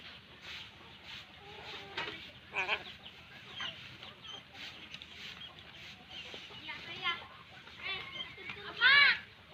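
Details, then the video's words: Crow chicks during feeding, making scattered wheezy, rasping calls with bright overtones that build to one loud, harsh, drawn-out squawk near the end, against a quiet hum. "Meloloh Anakan Burung Gagak"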